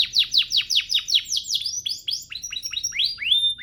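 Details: Canary singing a master song for training: a series of rapid descending sweeping notes repeated about three per second, shifting into faster, higher chips and ending on a clear whistled note.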